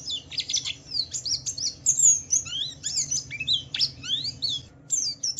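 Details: Javan white-eye singing in the Wiklus Wiksar ngalas style, used as a lure to provoke other white-eyes into song: dense, rapid high twittering with quick rising and falling slurred whistles, tumbling almost without pause.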